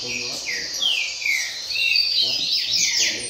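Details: Double-collared seedeater (coleiro pardo) singing firmly in a roda de coleiro contest: clear, high slurred whistles sweeping down and up in a fast, continuous phrase, with a little low murmur behind.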